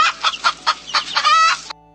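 A hen clucks in a quick run of about six harsh, throaty notes, roughly four a second, ending in a longer drawn-out nasal cluck.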